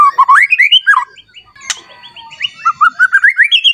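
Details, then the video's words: White-rumped shama provoked to sing aggressively against a rival: rapid rising whistled phrases, a brief pause with a sharp click, then a long series of quick upward-stepping notes climbing steadily. "Pancingan Murai Batu Agar Bunyi Langsung emosi Bongkar Isian Mewah"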